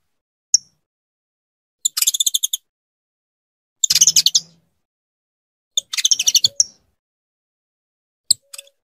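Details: Female saffron finch calling persistently to get her mate ready to breed: sharp single chips alternating with several dense trilled chatter bursts about two seconds apart.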